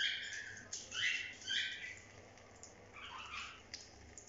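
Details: Pet cockatiels on bath day give harsh, scratchy chirps and squawks in bursts, with a lower warbling call near the end, over a faint background hum.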